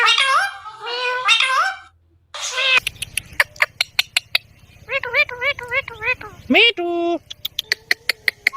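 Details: Indian ringneck parrot talking: a series of harmonic, speech-like syllables, some wavering and meow-like, broken by a short pause, then sharp repeated clicks and a few longer tonal notes.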